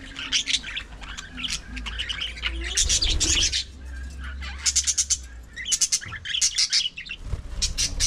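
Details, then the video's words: Aviary budgerigar colony with continuous chirping and warbling chatter, clusters of quick sharp high notes, and a low hum in the background. "budgie parakeet talking"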